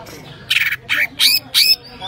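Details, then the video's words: Common iora (cak ijo) with isian-style song: four harsh, broad, scratchy bursts spaced about a quarter second apart after a quiet start. "cak ijo isian istimewa"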